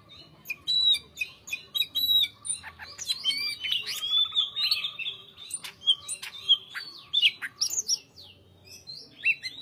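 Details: Greater green leafbird singing continuously with tight pauses: a crowded stream of loud whistles, sharp clicks, chips and buzzy phrases, steady throughout and easing slightly near the end.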